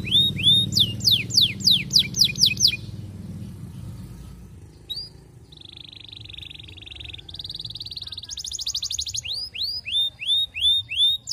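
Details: Canary courting a female, used to make other canaries sing along: loud rapid falling whistles, a quiet gap, long buzzy rolled trills at two pitches, then a string of clear rising whistled notes repeated about twice a second.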